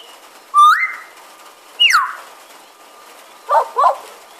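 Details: Pied butcherbird on a porch while it rains, imitating magpies, koels, babblers and dogs; a rising whistle, a sharp downward-sliding whistle, then two short husky yelping notes close together.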